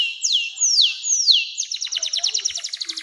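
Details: Canary singing in long phrases, intended to set young canaries singing: three slow falling whistles followed by a quick, even high trill.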